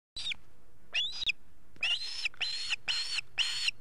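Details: Osprey chicks at the nest in Estonia on 8 August 2018: harsh, squealing whistled calls that rise and then drop. A short first call is followed by a longer drawn-out one, then four loud calls in quick succession.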